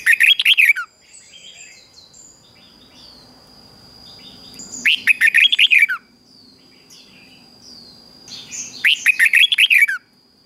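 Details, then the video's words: Red-whiskered bulbul singing in the morning, a training track meant to coax reluctant bulbuls to sing. Three bright, rapid warbled phrases about a second each arrive roughly every four seconds, with faint chirps and a constant high whine between them. "Luyện cho chào mào hót sáng | Luyện giọng chào mào hót hay kích chào mào yếu lửa ra âm"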